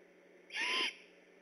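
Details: Great horned owl near a Decorah eagle nest at night, on alert, 3 October 2015, gives one harsh, hissing screech with a whistled core, about 0.4 seconds long, standing out against a low steady hiss.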